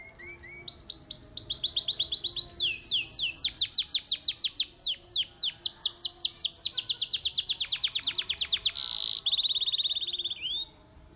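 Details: Prize-level long-duration canary from a Mojokerto breeding farm delivers sustained song: rapid, rolling strings of high slurred notes that shift pace and tone, with a harsh buzzy burst near the end followed by a smooth trill.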